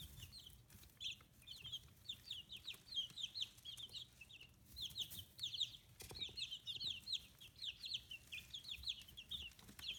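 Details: Brood of fifteen-day-old chicks with growing feathers, raised free-range in Hiroshima, Japan; long run of dense, high-pitched peeping in repeated bursts, broken by a couple of sharp clicks and brief quiet gaps.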